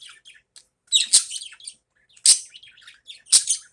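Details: Pet budgerigars calling in the morning, loud harsh chirps roughly every second over continuous scratchy, high warbling chatter.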